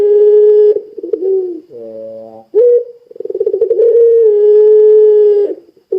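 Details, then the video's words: Gacor puter pelung spotted dove giving repeated coo phrases to lure other doves into calling: long steady coos, a low rough coo, sharp accented notes and pulsing trills leading into another drawn-out coo. "Suara Burung Puter Pelung Gacor Bikin Puter Pelung Langsung Ikutan Gacor"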